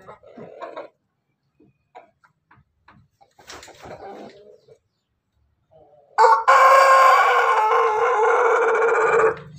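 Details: Pelung chicken, a Bangkok crossbreed of the laughing type, crowing in the afternoon: a short quiet phrase, then a loud, long, sustained crow with rich layered harmonics lasting over three seconds.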